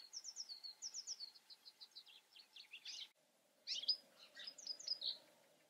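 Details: European goldfinch singing: a rapid, twittering run of high, bright chirps and tinkling trills, pausing briefly near three seconds before resuming with louder liquid notes; quiet background with a faint low hum.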